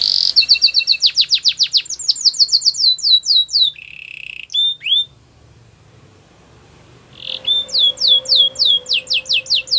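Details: Belgian canary delivering fast falling whistled notes in rapid series, a buzzy tour, a pause, then more rhythmic descending notes over a faint low hum.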